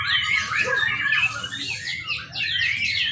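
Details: A young white-rumped shama, kept as a lure to train other birds, gives harsh buzzy phrases and swooping whistles in quick succession over a faint low hum.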